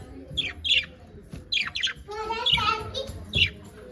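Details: Happy pet budgies giving short, bright chirps in pairs, followed by a longer, rasping warble mixed with other indoor sounds.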